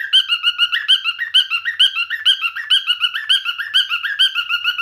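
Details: Male pet cockatiel singing: a fast, steady run of warbled chirping notes, about two per second, alternating between lower and higher pitches with bright harmonics and no other sounds.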